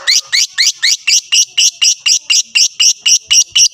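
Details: Lovebird fighter call meant to provoke rivals: a very even, fast string of shrill, squeaky notes, about four each second, sustained without a break.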